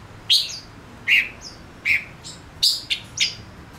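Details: Singing male Gouldian finch used as a lure for wild birds: strong chirps about once per second, ending in a quick cluster of three sharp notes and a high twitter.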